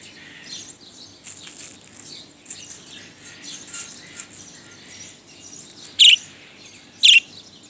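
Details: Budgerigar that settled in a tenth-floor office near Shapla Chattar, Motijheel, at midday, with busy high chattering and scratchy twitters, then two loud, piercing chirps about a second apart near the end.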